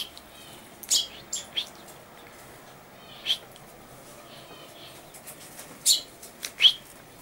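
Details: Common chaffinch, 14 August 2013: scattered short, bright, high call notes given singly or in pairs with gaps of one to two seconds, against soft background hiss.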